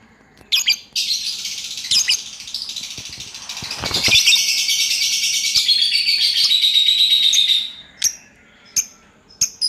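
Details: Lovebird kept at home, singing a long ngacor chattering run: a few sharp chirps lead into several seconds of dense, high, rapid rattling trill, fading into scattered chirps.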